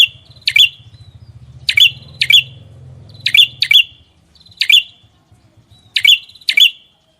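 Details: Songbird from a masteran recording giving loud, sharp, ringing chirps, mostly in pairs spaced a second or more apart, over a low rumbling background hum.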